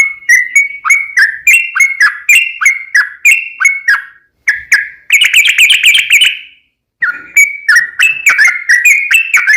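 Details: Sooty-headed bulbul in a long rapid 'ropel panjang' song, played as a lure to make other bulbuls sing back: bubbly whistled phrases dipping and rising, quick repeated notes, a denser burst midway, brief pauses between runs.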